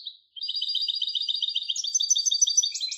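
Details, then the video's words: A hybrid European goldfinch gives a quick run of twittering notes. The song becomes busier and higher-pitched, with a lower buzzy note appearing near the end. Clean, quiet background. "تغريد هجين الحسون Canto De Mixto del Jilguero"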